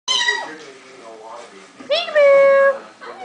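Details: Female pet eclectus parrot chattering to herself indoors, producing voice-like mimicked phrases with harmonic tones and a held whistled note.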